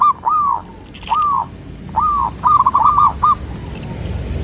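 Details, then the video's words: Indonesian local zebra dove singing as a lure: several separate arched coos followed by a quick rattled cluster of notes, set against a steady low rumble of background noise. "cukup sekali dengarkan perkutut lokal ini manggung"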